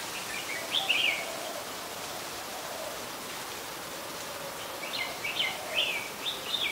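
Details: Red-whiskered bulbul, an adult, recorded 16 December 2020 in Ubon Ratchathani, Thailand. A quick chirpy warble, then after a pause a longer run of four or five lilting, up-and-down notes, over constant rushing background noise.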